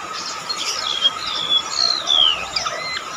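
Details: Golden-bellied gerygone in shrill, lively song: a run of high, thin, sliding whistles that rise and fall and overlap one another, with a steady tonal hum throughout.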